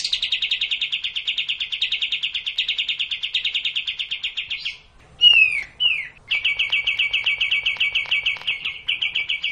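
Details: Cage-bird training recording of kapas tembak bulbul: long, fast, high rattling trills broken by two short slurred whistles, then the rapid trilling resumes.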